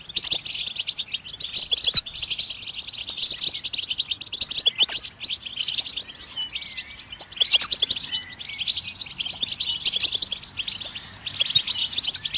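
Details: Goldfinch song played to stimulate other birds to sing: a long stream of dense, fast high twittering and tinkling notes, rising and falling in loudness, with brief pauses and faint background hiss.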